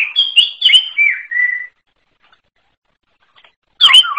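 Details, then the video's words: Forest greater green leafbird sings a brief run of whistled, down-slurred notes ending in a longer steady whistle. About two seconds of silence follow before a new burst of bright notes. "KICAU UNIK CUCAK IJO ALAS"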